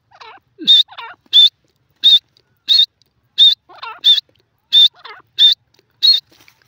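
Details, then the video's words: High, clean whistled notes from a grey francolin (teetar), evenly repeated about every 0.7 seconds, with softer, lower squeaky calls slipped in between. "lovely bird teetar sounds,teetar pheasant sounds"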